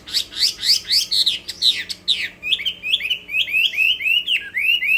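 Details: Chinese hwamei pouring out fighting song (hót đấu): fast sharp downward-sweeping notes, then a string of rising whistles repeated about every third of a second.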